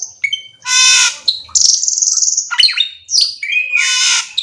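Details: Black-winged myna giving loud harsh screeches, a long buzzy rattling phrase and short sliding whistles.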